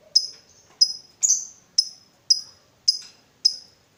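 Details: Lovebird, fighter type, lure sound meant to set other lovebirds off singing ngekek: seven crisp, high, downward-flicking chirps at an even pace of roughly two per second, in an otherwise quiet setting.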